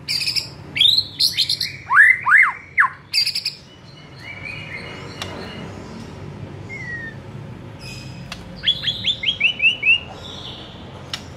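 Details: ['White-rumped shama song meant to provoke a rival shama: loud sweeping whistles and chips at first, a long quiet stretch with faint background noise, then a rapid descending series of notes.']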